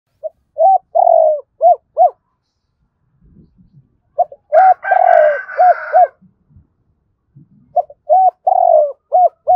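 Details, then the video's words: Decoy spotted dove calling in the morning with a double-ending style of coo: two cooing phrases of mellow, low hoots, each with a longer slurred middle note and clipped notes after, separated by a pause with faint rustling. "Cu gay mồi gáy gọi hai hậu đôi vào buổi sáng"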